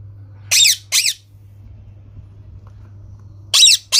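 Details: Green parrot screeching in paired bursts: two raspy squawks close together, a three-second pause with a low hum, then two more.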